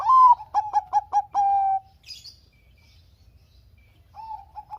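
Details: Bangkok zebra dove in full song, a lure recording for lazy doves: an opening coo, five staccato notes and a long drawn-out held note, then near silence before a faint new phrase begins.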